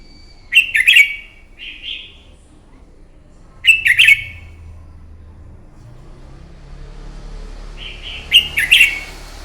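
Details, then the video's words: Red-whiskered bulbul giving a morning fighting song for training another bird: loud clusters of sharp, chirpy whistled notes in three bursts a few seconds apart, with a soft low rumble between them. "Kích chào mào bổi hót đấu, luyện giọng chào mào hót đấu buổi sáng kích chim hót đấu căng lửa"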